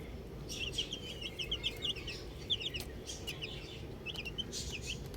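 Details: Several baby chicks playing with a ball produce rapid strings of high, short chirps, some rising and some falling, in clustered bursts over low background hiss.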